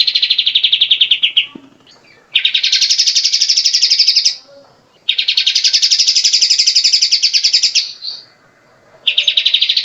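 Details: Songbird training material of a grey-cheeked bulbul: three long, loud, rapid buzzy trills separated by short gaps, each trill held for several seconds.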